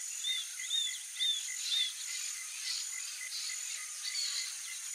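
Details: Juvenile roadside hawk begging food from its parents: four high, thin, arched whistled cries about half a second apart, then quieter, over steady pulsing insect chirps and a constant high buzzing drone.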